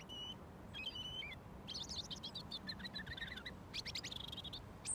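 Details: Robin, a wild bird fed daily for over a year, singing close up at about a foot away until given mealworms; high thin warbled phrases, quick trills and sliding notes, with faint low background rumble.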